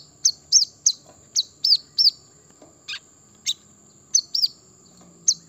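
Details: Brown-throated sunbird song for provoking birds into singing: rapid run of high, arched chirps, some doubled, then a pause with a couple of sharp clicks before more chirps resume, over a faint high hiss.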